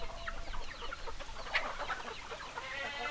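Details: Clucking hens: a quick series of short overlapping clucks and chatter, with one sharper squawk in the middle, over a low steady background noise.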